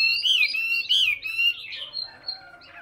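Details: Hwamei giving loud, clear, whistled phrases, two strong looping slurs that rise and fall, followed by softer, fading, warbled notes.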